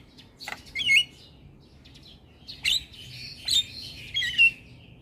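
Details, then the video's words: Jalak kebo (buffalo starling) singing, used as a lure and training recording to get a caged jalak to sing: scattered whistled and chattering phrases with sharp clicks, bursts roughly every second with short quiet gaps, light background hum. "Terapi Burung Jalak Macet Bunyi / Jalak Pikatan Bikin Cepat Gacor Manggut3"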